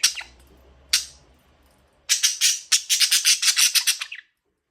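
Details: Pet budgerigar chirping indoors: a few sharp high chirps, then a dense run of rapid scratchy chirps packed into about two seconds.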